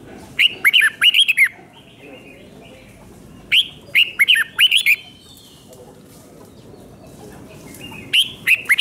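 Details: Red-whiskered bulbul repeating its doubled five-syllable training song for young birds: three bursts of fast, bright whistled notes roughly three and a half seconds apart, the last cut short, with faint chatter between.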